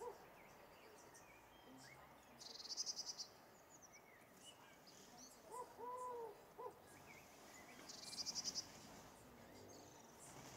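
A European turtle dove gives a brief, low, rolling purr midway through. High, dry insect buzzes come in two bursts, over a steady background hiss.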